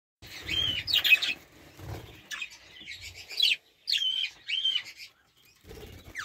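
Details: Budgerigars give a run of scratchy, buzzy high chirps and warbles in short bursts, some with quick rising and falling whistled notes, with low thumps and rustling between.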